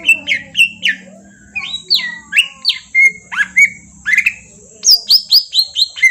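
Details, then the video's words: Green leafbird lure song, possibly from Kalimantan, meant to make a bird respond: loud varied whistles and harsh squawk-like slurs, some notes sweeping down, ending in a quick run of high ringing chirps. "pancingan cucak ijo auto nyaut bunyi langsung"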